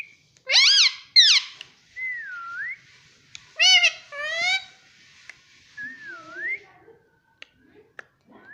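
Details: Indian ringneck parrot kept as a talking pet, saying mummy and papa. Sharp harmonic word syllables alternate with smooth wavering whistles, separated by quiet gaps and small clicks.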